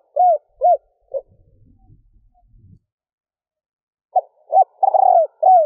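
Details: Female spotted dove cooing to excite males, with a stuttering three-part ending. Two arched hoots and a clipped note are followed by faint low rustling. Then comes another phrase of hoots and a long throbbing coo.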